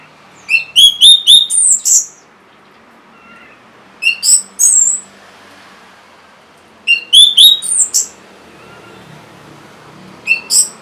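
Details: Song of an orange-headed thrush used to coax silent or lazy caged birds into singing. Short bursts of quick, ringing whistled notes come roughly every three seconds, with thin high slurs after them.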